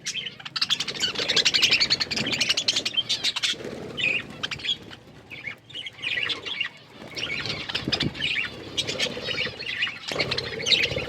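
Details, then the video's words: Budgerigars feeding on green food give a steady stream of bright, scratchy chirps and warbling chatter. The sound rises and falls in loudness, with soft fluttering and rustling between the busier stretches. "Budgies bird eating green food birds chirping sounds"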